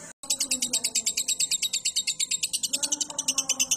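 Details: After a brief silent gap, a caged lovebird launches into its ngekek song, a fast rattling trill of shrill, buzzy notes pulsing several times per second. It is a training recording for cage birds.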